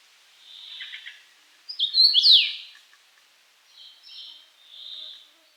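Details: Single loud whistled phrase from a common rosefinch, quick slurred notes ending in a falling swoop, framed by softer chirping of other birds before and after.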